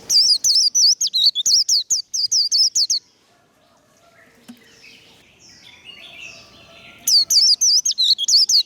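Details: Warbling white-eye in 'líu đấu' fighting-song style. A three-second burst of quick, piercing twisted whistles, a pause filled with soft distant chirping, then the rapid high phrase resumes.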